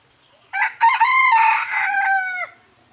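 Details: A kept red junglefowl (labuyo) crows once: a clipped opening note, then a long, harsh, strained phrase of nearly two seconds that sags downward at the end.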